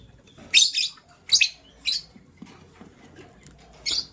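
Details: Morning chirping from green and blue lovebirds scrambling for vegetables: four harsh, scratchy high-pitched chirp bursts, some doubled, spaced irregularly about a second apart, with little else heard.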